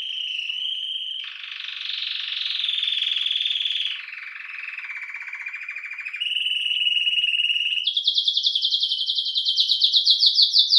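A Belgian canary sings a continuous, high song of rapid rolls and trills, shifting to a new tour every one to two seconds and ending in a bright, pulsing trill.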